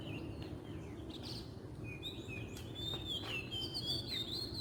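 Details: In the wild, an oriental magpie-robin delivers sweet whistled song, a run of sliding notes growing richer and more continuous toward the end, with faint distant chirps and low steady background noise.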